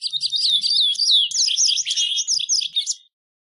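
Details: White wagtail song: a dense, rapid, unbroken twitter of high chirps and slurred notes lasting about three seconds, with faint low rumbling underneath.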